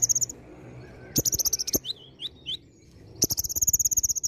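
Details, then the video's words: Olive-backed sunbird song with mimicked phrases: a dense high trill, then wavering whistled squiggles, then another long rapid buzzy trill, with clicks and faint low noise. "KONIN GACOR ISIAN VARIASI"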